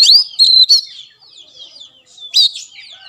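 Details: Brief snatch of Oriental magpie-robin song meant to prompt a silent caged bird: a few high whistled notes and a drawn-out sliding whistle between them.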